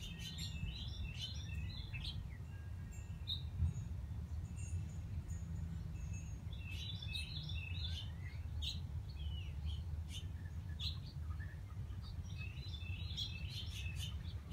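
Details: A male Wilson's warbler (Cardellina pusilla) during migration, perched on a hand, gives high, thin chips and short twittering bursts every few seconds, over a steady low rumble of background noise.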